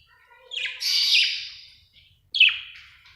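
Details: A budgie described as happy gives two high, buzzy chirping phrases, the first long and warbled, the second short and sharp, separated by a brief silence.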